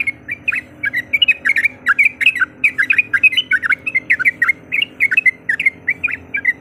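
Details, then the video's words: Yellow-vented bulbul, a female calling a male, used to provoke a rival into anger: rapid bubbly chattering notes, each a short warbled burst, repeated several times a second without pause over a faint low hum. "Suara Panggilan Trucuk Gacor Mencari Lawan Auto Emosi"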